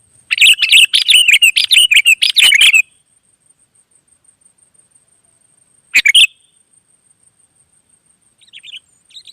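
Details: Wild sooty-headed bulbuls, birds said to reply to each other. A rapid chattering burst of bright chirps for over two seconds, a long silence, one sharp double chirp, then faint soft notes at the end.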